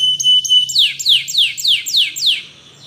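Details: Spanish Timbrado canary training song: a held pure whistle with soft clicks, then six evenly spaced loud descending swooping notes about three per second, fading at the end.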